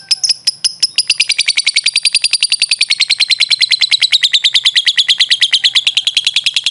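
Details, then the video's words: Lovebird master recording for training birds: a fast, sustained chattering trill of shrill, clipped notes, steady and unbroken for nearly seven seconds, gliding gently downward in pitch. "LOVE BIRD SOUNDS"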